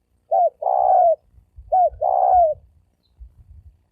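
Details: Spotted dove (cu gáy, sấm đồng style) cooing used as a lure to draw males and females: two phrases, each a short low coo followed by a longer drawn-out coo that slowly falls, with faint rustling between.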